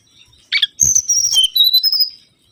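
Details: Mangrove whistler (kancilan bakau) lure song: a buzzy opening note, a thump, then long clear whistles sliding between high and slightly lower pitches.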